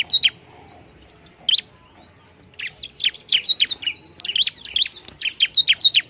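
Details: Noisy bar-winged prinia song meant to provoke other prinias: a few separated high chirps, a pause, then dense runs of sharp, quickly repeated notes and short trills.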